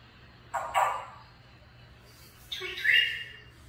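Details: Grey parrot uttering two harsh, raspy squawks about two seconds apart, the second longer and higher, over a steady low hum.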